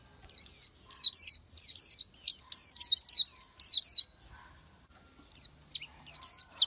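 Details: Oriental white-eye song of quick, high, wavering whistled chirps, about three per second for four seconds, then a few faint scattered notes and a final short burst.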